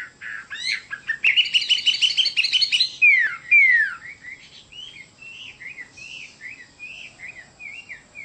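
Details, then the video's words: Song of a Chinese hwamei: a dense buzzy trill, then clear downslurred whistles and a run of short repeated rising-falling notes, growing softer toward the end. "Chim họa mi đẹp và hót rất hay"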